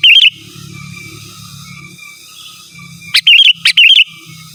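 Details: Vigorous natural song of a sooty-headed bulbul challenging rivals: a warbled phrase at the start, then after a low humming pause two more quick bubbly phrases, each opening with a sharp note, in close succession.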